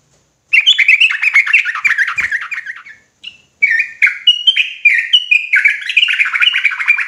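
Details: Agitated sooty-headed bulbul in ropelan style: dense runs of rapid, slurred chattering notes, a short pause near three seconds, then a string of clearer whistled phrases that step up and down, repeated quickly.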